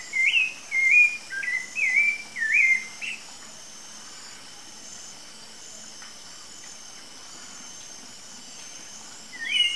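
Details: Wild Rufous-bellied thrush delivering a quick run of five or six clear whistled phrases, warbling up and down within a narrow band, then a long pause before a final phrase; faint insect hum continues throughout.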